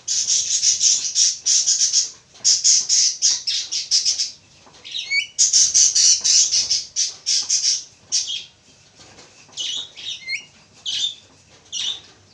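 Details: A pair of Javan mynas giving loud, harsh rasping squawks in rapid bursts, broken by short gaps, with a few quick upslurred whistles mixed in toward the end.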